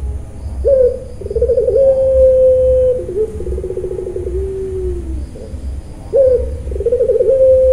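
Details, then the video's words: Puter pelung dove from a Central Java farm calls twice in crying 'nangis' style: a rising note into a long steady coo, a quick trill and falling hum, then the phrase starts again. "puter pelung nangiss"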